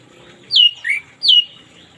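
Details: Orange-headed thrush singing in the morning as therapy for silent birds: a falling whistle with a lower rising-falling note after it, then a second falling whistle, loud and clean.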